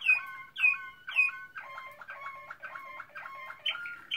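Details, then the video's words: Waterslager canary, the Malinois breed, recorded in 2016; three sharp descending whistled notes open, then a fast repeated gurgling phrase with rolling, water-like bubbling about twice a second. "Malinois Waterslager 2016"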